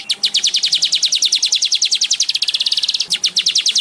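A Baya weaver's fast, dry chattering song: high, downward-flicking notes rattled out about a dozen per second in one continuous sizzling run.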